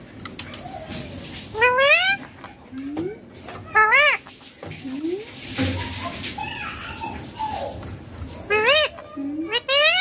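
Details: Baby ringneck parrot giving natural sounds, said to include "papa mummy": bursts of harsh, harmonic, rising squawks, several in quick series, alternating with lower sliding notes and speech-like sounds.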